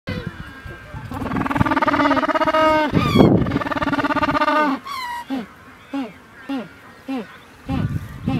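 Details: Penguins in Argentine Patagonia giving loud, harsh braying calls: long drawn harmonic notes for several seconds, then a series of short, sharply falling notes repeated about once a second.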